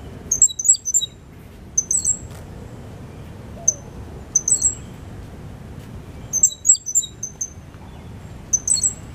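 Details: Young Cuban grassquit about five months old, hatched in 2022, singing a loud clear song in an Australian-whistle style with a particular trill learned from a master bird; short high whistled bursts and trills in clusters every one to two seconds.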